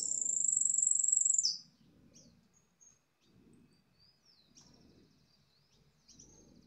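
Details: Jilguero amarillo, a yellow goldfinch, in a long whistled phrase: a bright, rapid, very high trill runs steadily for about a second and a half, then scattered faint chirps follow amid low murmuring background sound.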